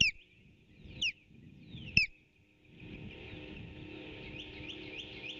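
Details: Osprey at its nest on 8 April 2018, late morning, while an intruder tries unsuccessfully to steal a delivered fish: three loud, sharp downslurred whistles about a second apart, then rushing noise with faint chirps.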